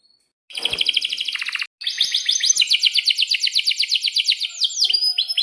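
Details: Atlantic canary in breeding condition, with chirps and long rolls. After a short quiet start comes a buzzy rattling trill, then a brief pause, then a long run of rhythmic rolling notes ending in a few rising whistles.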